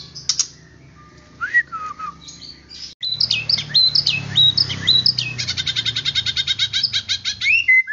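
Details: White-rumped shama, a training recording meant to make other shamas agitated and quick to sing, gives rich fluty whistles and slurred phrases, then a fast run of sharp repeated notes, over a faint low hum.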